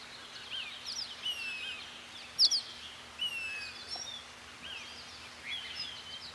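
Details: A Say's phoebe calls at the Southwestern Research Station in Arizona, USA, giving plaintive, down-slurred whistled notes about every two seconds, mixed with sharp high chirps from other birds over a faint steady hum.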